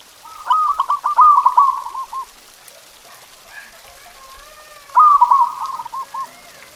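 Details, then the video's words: Local zebra dove singing a tutor song for pet doves: a rapid stutter of coos run into a smooth trill, then quiet, then the same phrase again about four seconds later. "Suara Masteran Perkutut Ini Bikin Burung Kamu Nggak Mau Diam!"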